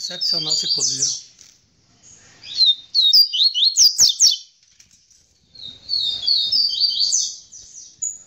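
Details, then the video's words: Tamborete-style song of a captive double-collared seedeater after mating with the female, several fast high buzzy note series with short gaps, plus a brief low clucking sound at the start. "COLEIRO TAMBORETE APÓS ACERTAR A FÊMEA"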